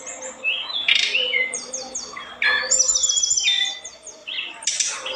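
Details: An olive-backed tailorbird (Orthotomus sepium) in full, very active song: a rapid, high jumble of sharp chirps, short trills and thin whistled notes, tumbling along almost without pause.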